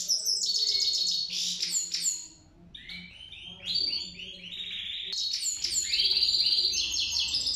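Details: A goldfinch's rapid song: shrill tinkling trills and slurred, liquid twitters run on almost without a break, pitch jumping up and down, with a soft steady hum underneath.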